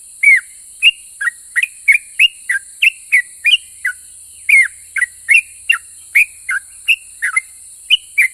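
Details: Yellow-vented bulbul in active ropel pajang song, said to make other bulbuls reply: about twenty bubbly whistled notes, many sliding downward, delivered in a quick, uneven, continuous string, with a constant high hiss behind.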